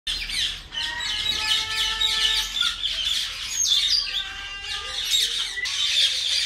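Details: Tame pet common myna talking: dense harsh chatter with squawks, overlaid by several steady whistled tones held for about a second each, some sliding upward, and a few sharp high notes near the end.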